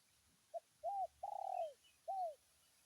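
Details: Spotted dove calling a rival with a "tarik akar" style call: one soft clipped coo, a rounded coo, a long quavering drawn-out coo that falls at the end, then a final falling coo.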